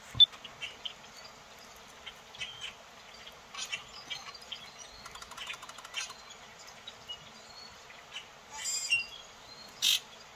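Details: A flock of 70 or more grackles, first mistaken for starlings, flies between a treetop and seeds on the ground just north of town. They chatter with overlapping clicks, harsh chacks and thin squeaky whistles in scattered bursts.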